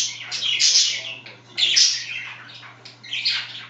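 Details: Budgerigar chatter at home as one bird scratches its favourite spot: long raspy, buzzy warbled phrases with bright squeaks, three loud bursts, and a steady hum beneath.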